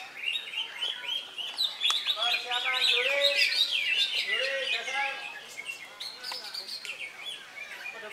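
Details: Contest-caged greater green leafbird just out of molt, competing in Indonesia on Saturday 3 September; varied whistles, slurred notes and chatter overlap with several other singing birds, some lower swooping whistles mixed in.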